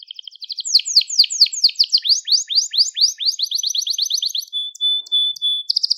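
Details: A crested Gloster canary sings a long series of rapid downward-sweeping notes that slow into an even trill, then a thin steady whistle and a final bright burst. Recorded to teach song to young canaries.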